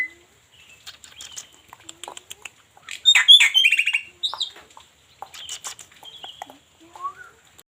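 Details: Black-winged myna song mixing rapid dry clicks and chirps with a loud harsh chattering burst, a short squeaky phrase and scattered softer notes, delivered in uneven bursts.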